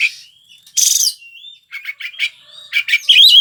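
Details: White-rumped shama, a gacor-style singing bird prized by Indonesian songbird hobbyists, delivers a rich varied phrase: a harsh burst, a smooth rising whistle, then rapid chattering notes and a bright trilled flourish.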